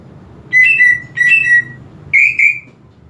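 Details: Greater green leafbird song played to provoke a less aggressive bird: two matching downslurred whistle phrases, each of two clear notes, followed by two quick, slightly higher ringing notes, over low background hum.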